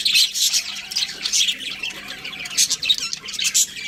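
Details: Budgies give sharp repeated squawks and chirps, loud bursts roughly every half second over a steady high chatter.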